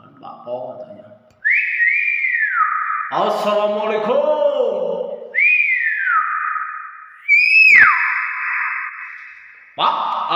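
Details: Common hill myna, a kept bird, giving long sliding whistles that rise and fall, mixed with rough, voice-like harmonic sounds that suggest copied speech, all at close range.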